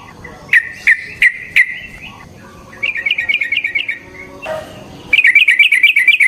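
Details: Lure song of a yellow-vented bulbul in fighting mode: four separate sharp notes, then a rapid rippling trill, a brief lower sound, and a final fast chattering burst.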